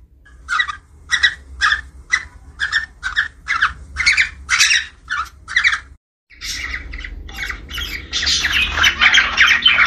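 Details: Budgerigar from a breeding pair about 10 months old, mating chatter used to stimulate pairing and egg-laying: rapid scratchy chirps about twice a second, then a dense burst of warbling chatter after a brief pause.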